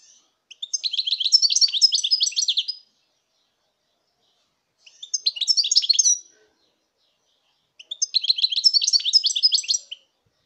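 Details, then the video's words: Song of a European goldfinch from 2019, given as three long, dense phrases of rapid liquid twitters and buzzy trills, each lasting one to two seconds, with clean silence between phrases. "chant chardonneret"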